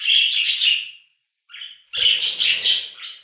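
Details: Budgerigar giving loud, drawn-out buzzy calls with squeaky peaks, in two bursts separated by a short pause.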